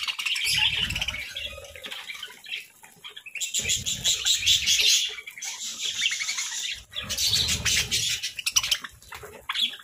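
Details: Pet parakeets chirping in bursts: a thin opening warble, then loud clustered chatter around four and eight seconds, separated by quieter stretches, with low rumbling noises.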